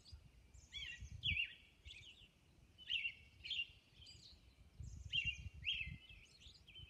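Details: Dawn on Orcas Island with a Robin singing paired and grouped whistled phrases, each a quick slurred note followed by a softer warble, with short pauses and some higher faint notes.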